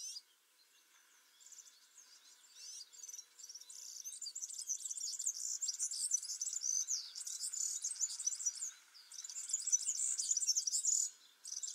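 A European serin sings a very high, fast, jingling stream of buzzy notes, like tinkling glass, running almost without pause for several seconds.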